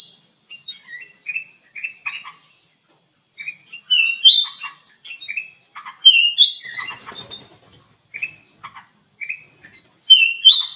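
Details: Kutilang emas bulbul singing actively in an aviary as a lure bird: bursts of bright whistled and chirping notes, with short pauses between groups and several louder slurred whistles around the middle.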